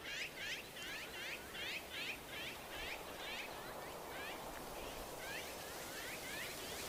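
Common kingfisher giving shrill, high piping notes, about two or three a second, over a steady rushing background like running water.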